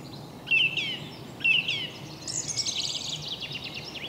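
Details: A song thrush sings in a Swiss forest near Neuchâtel on a spring morning, repeating a bright whistled phrase twice a second apart, then a higher, scratchier, chattering flourish, over soft background hiss.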